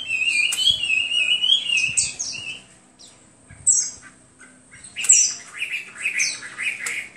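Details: Hwamei gives a wavering whistled phrase, then after a short pause bursts of sharp, harsher notes and fragmented whistles with gaps between them.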